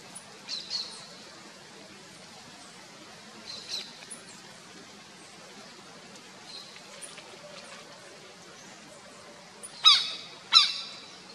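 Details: Southern lapwing (Vanellus chilenis) at its nest in the Botanical Garden, São Paulo, Brazil, August 2021, giving harsh, strident, high calls in short bursts: a few faint ones early, then two loud ones near the end, over quiet background hiss.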